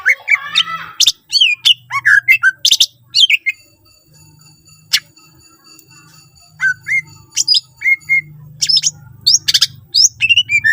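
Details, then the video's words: Greater green leafbird singing steadily with a full set of fill-in phrases, a lure for other leafbirds: quick varied whistles, sweeps and chirps in bursts, then a quieter gap of scattered notes over a low steady hum. "cucak ijo gacor full isian mewah sangat ampuh pancing c ijo lain agar ikutan rajin bunyi"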